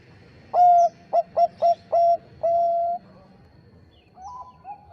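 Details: Bangkok-type zebra dove song used as a lure to provoke rival birds: a loud, sustained low coo, then a burst of short clipped notes and a long drawn-out final coo. Fainter answering coos follow from a distance.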